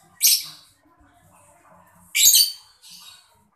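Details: Mocca lovebird giving two short, harsh, high-pitched squawking chirps about two seconds apart, with a softer third note, against a quiet background. The chirping is played to get other birds singing.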